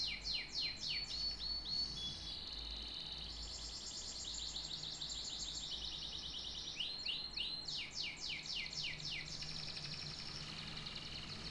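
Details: Canary trilling in fast rolls of sweeping notes, then a smooth buzzy passage and a thin whistle, before another rapid trill of sweeping notes.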